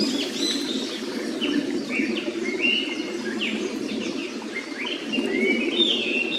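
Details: Japanese paradise flycatcher near its nest in a quiet forest beside a clear stream, giving scattered high whistled and slurred notes over the steady rushing of the water.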